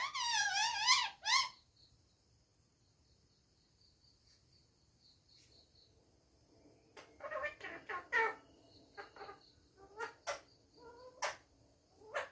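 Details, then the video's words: Parrot at home, talking: opens with a loud, wavering, whistled phrase that rises and falls, then quiet, followed by a scatter of short clicking and chattering syllables. "My Kuku Talking at Home"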